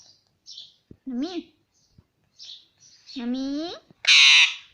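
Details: ['Pet Indian ringneck parrot talking non-stop, saying "mummy": two speech-like harmonic phrases, the first rising and falling, the second sliding upward and then flattening, with soft chirps between them. A loud harsh squawk ends the passage.']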